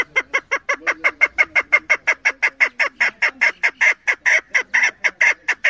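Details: Loud, rapid chain of raspy chuk notes from a female chukar partridge kept for hunting, each note a short harsh downward sweep, repeated about four times a second at an even, driving pace.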